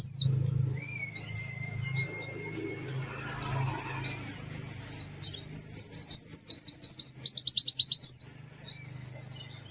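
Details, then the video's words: White-eye with lively song. A steady whistle and a low hum come first, then a build-up into dense, very high, rapidly repeated trilling notes over the second half. "Kicau Burung PLECI GACOR MERDU"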